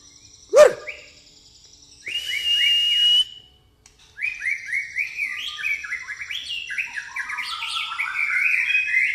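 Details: White-rumped shama, pastol style with fighting-sparrow mimicry: an opening sharp crack, a held steady whistle, then a long stream of quick, varied chirping and whistled notes.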